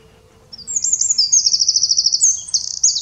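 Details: Eurasian wren in the Eifel region of Germany, bursting into song after a brief quiet pause: shrill, high twittering notes run into a fast, even rattling trill, then more rapid high chatter continuing to the end.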